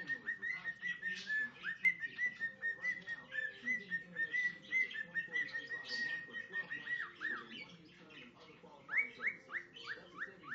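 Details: A male cockatiel sings to a person's foot, mixing a couple of songs into his own melody: a run of steady whistles with chattering, ending in short rising-and-falling whistled notes.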